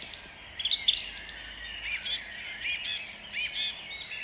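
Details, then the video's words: Dawn song of a song thrush in Jabłonna, 29 April 2021: a high whistled double note repeated in quick succession, followed by softer, scratchy repeated phrases fading into the background. "Drozd śpiewak śpiewa o świcie"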